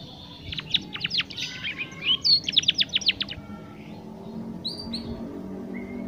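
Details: Young canary still learning its song delivers about three seconds of quick, sweeping chirps and twitters, then fades to faint background noise with a few distant notes.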